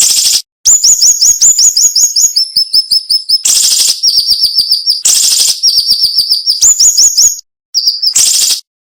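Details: Cinnamon-bellied flowerpecker song, a sharp and tightly packed style with short pauses: quick runs of piercing high notes at two pitch levels, punctuated by three loud scratchy buzzes.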